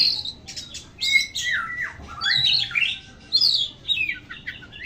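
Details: Oriental magpie-robin in full voice, mixing harsh, scratchy squawking notes with descending slurred whistles and quick chattering phrases in rapid succession.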